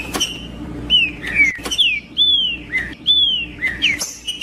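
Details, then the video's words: Green-winged saltator song played to provoke a male into singing: loud, clear whistled phrases sliding down from about mid-high pitch, each short note repeated roughly once a second, with faint background hum. "Trinca ferro cantando Para Esquentar Trinca ferro"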